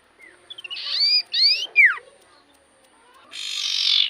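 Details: Common iora in energetic song played to provoke other ioras: a short rising whistle, quick ticks, then loud buzzy rasping notes with overlaid whistles, sharp downslurred whistles, and a final harsh buzzy burst.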